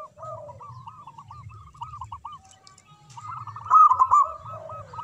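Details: Zebra dove song from a local bird: a long string of soft, looping coos that swells into a louder rolling phrase near the end, with lower murmuring coos behind it.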